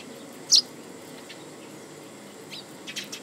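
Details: Japanese white-eye at a home: one sharp, very high chip stands out, followed by a few faint high notes against a quiet low background hum.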